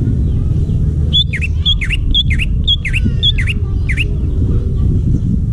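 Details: Greater green leafbird in the wild forest delivers a steady run of about seven bright notes, each a high click followed by a swooping V-shaped whistle, roughly twice per second, against a heavy low droning background.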